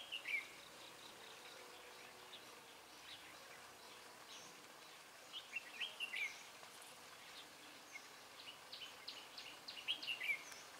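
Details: Red-whiskered bulbul used as a decoy to lure wild birds while trapping on 12 February 2017; three clear bursts of quick chirped notes several seconds apart, with fainter twittering and steady outdoor hiss between them.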